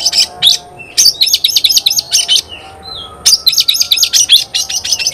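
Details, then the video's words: Energetic gacor singing of an Oriental magpie-robin meant to excite other magpie-robins. Fast trains of sharp, high chips repeat in bursts, separated by short thin whistled notes. "Kacer gacor bikin kacer ngobra KONSLET"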